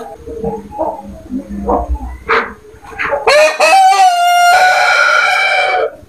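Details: Rooster crowing in a yard: faint clucks and scattered calls lead into one loud, harmonic-rich crow that holds a steady pitch for about two seconds before dropping away at the end.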